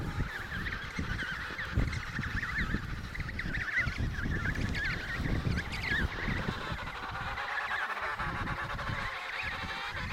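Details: Emperor penguins calling at the Riiser Larsen breeding colony, Antarctica (72°06 S, 15°06 W), November 2010: many overlapping warbling, fast-wavering trumpet calls blend into a dense chorus over strong, gusty low wind rumble.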